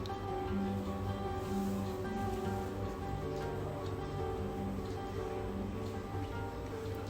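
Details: Steady background music with sustained low tones and a soft rain-like hiss, with no animal calls.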